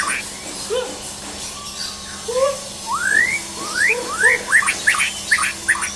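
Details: White-rumped shama, a champion songbird being tested, gives soft low whistles then rising slurred whistles becoming louder and quicker, over a steady hum.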